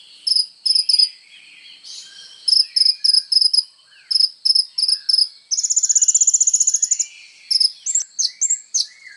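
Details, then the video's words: Sunbird known as kolibri ninja, recorded as songbird training material: groups of three thin high chips repeated at intervals, then a rolling rapid trill and a few slurred whistles. "SUARA BURUNG KOLIBRI NINJA GACOR FULL TONJOLAN"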